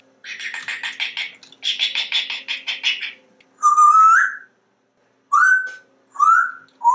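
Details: Pet male African grey parrot, very talkative, living indoors with its owners: rapid pulsed chattering bursts for three seconds, then short rising whistled notes repeated about once a second.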